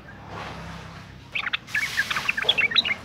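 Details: Sooty-headed bulbul, a female in breeding condition calling to males: after a quiet start, a quick string of sharp chirps and short whistled notes against steady background noise.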